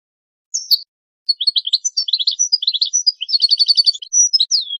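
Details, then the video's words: A goldfinch sings a fast, high, tinkling twitter of liquid chirps, short trills and a few buzzy notes, running almost without pause, with no other sounds. "goldfinch songs"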